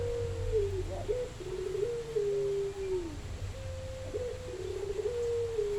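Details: Spotted dove singing a run of smooth, low coos, each level then dipping downward, repeated steadily through the recording over a low hum.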